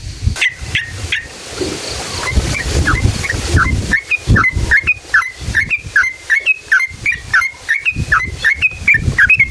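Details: Lure recording of a constantly singing yellow-vented bulbul, wild style with long rapid phrases, meant to make other bulbuls sing. Liquid, chirpy two-note phrases repeat more than once a second, quieter in the middle, then dense at the end.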